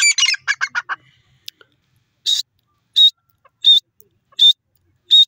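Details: Grey francolin, locally teetar: a quick run of rasping notes opens, followed by clear, loud whistled notes repeated roughly every 0.7 seconds.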